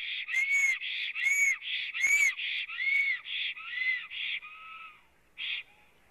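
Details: Black stork male singing before lying down in its nest, Latvia, April afternoon, from a live camera with the female apparently present; a series of whistled, arched notes that slowly drop lower in pitch and fade, ending with faint notes.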